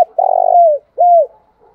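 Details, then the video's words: Short spotted dove cooing aimed at rival males: a rough, vibrating note that slides down into a smooth falling tail, then one clean arched coo. "tiếng cu gáy kích bổi"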